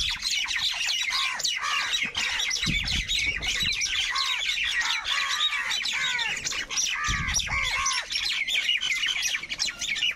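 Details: A crowd of crows squabbling over food: a dense, continuous din of overlapping harsh caws and squawks, many arched calls running together without pause.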